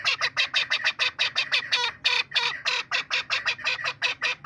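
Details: A chukar partridge gives rapid, harsh clucking notes, about three per second, in a steady chattering series with no other sounds.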